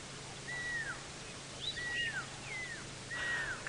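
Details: Pearl-spotted owlet heard on a sunrise safari drive near Kruger Park, South Africa, in late July: clear, high whistles, each held level then sliding down, about one per second, over a soft background hum.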